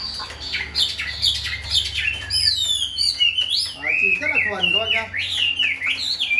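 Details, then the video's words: Hand-tame Chinese hwamei with one white wing feather, kept caged, pouring out a lively song of rapid slurred whistles, sweeping notes and trills that jump between high and middle pitches. "Chim thuần sách tay hót, đấu tốt"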